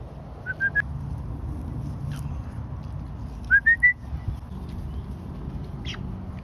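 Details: A feral neighborhood Muscovy duck gives two bursts of three thin, squeaky, slightly rising notes over a low rumble, as a new chocolate-magpie hen arrives among the flock.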